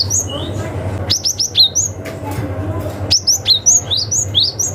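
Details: Wild cinereous tit giving rival-challenging calls used to attract young forest birds: loud, crisp, high downslurred notes in fast strings of four to eight, two bursts separated by a pause, faint low hum underneath.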